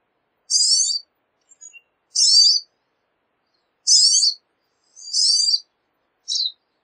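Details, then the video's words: A pine siskin repeats short, harsh buzzy notes roughly every one and a half seconds, five in all, with near silence between them. "Pine Siskin Song! Pine Siskin Call! Pine Siskin Sound! - Jilguero De Los Pinos Canto - Spinus Pinus"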